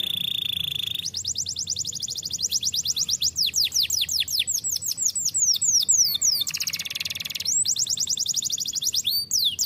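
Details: Canary singing in the 'gacor roll' style: a steady high whistle opens, then long fast rolling trills of repeated sweeping whistled notes, a brief buzzy break near the middle, and the rapid trills resume to the end.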